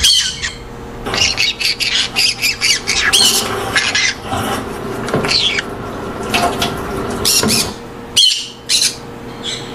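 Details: Several green-cheeked conures in aviaries with colony breeding chattering together: a dense, busy run of short harsh squawks and chirps overlapping for about ten seconds, with brief pauses and indoor background.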